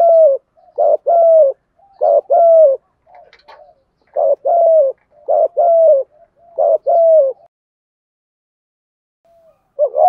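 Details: Spotted dove cooing in a well-structured style meant to prompt young birds to coo back. Low, hollow two-part coos, a short note then a longer falling one, repeated in bursts with brief pauses and a faint quiet coo between.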